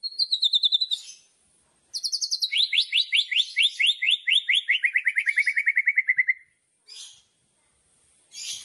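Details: White-rumped shama, loud kretekan-style song used to provoke other shamas: high buzzy notes, then a rapid run of about twenty sharp chips sliding gradually lower, ending in short high rasps after a pause.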